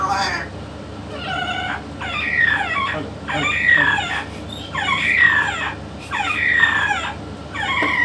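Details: Yellow-naped amazon parrot talking alongside a parrot expert: a series of harmonic, speech-like phrases roughly every second and a half, each with wavering, stacked tones, over a steady low background hum.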